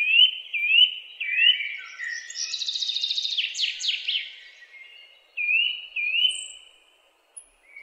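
Bright, high bird chirps: rising whistled slurs repeated in short bursts, with a rapid buzzy trill in the middle; no other sounds.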